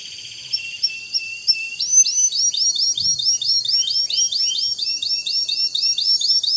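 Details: Canary song played to excite breeding birds: a soft buzzy opening, then a steady run of upswept, whistled chirps repeated about three times a second.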